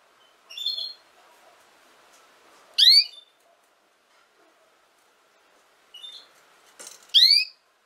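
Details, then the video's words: A female canary gives two pairs of notes: a soft downslurred chirp followed by a loud, steeply rising harmonic note, repeated about four seconds later. "chant femelle canari - canto fêmea canário"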